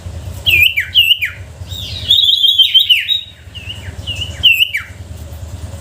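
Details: Sooty-headed bulbul song used as a lure to provoke reluctant bulbuls into singing: loud, clear whistled notes with sharp downward slurs, a longer warbled phrase in the middle, then further bright slurred whistles.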